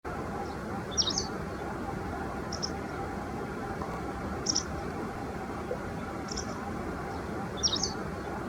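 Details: A White wagtail gives five sharp, high two-note chirps, about every one and a half to two seconds, over a steady low rumble of background noise.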